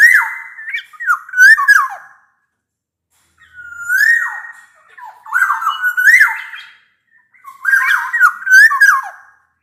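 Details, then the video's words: Black-naped oriole in strong song, meant to encourage lazy orioles to sing: four loud, flute-like whistled phrases of sliding and tumbling notes, spaced by short silences. "Burung kepodang emas gacor | Suara kepodang gacor ini bisa di jadikan pancingan kepodang malas bunyi"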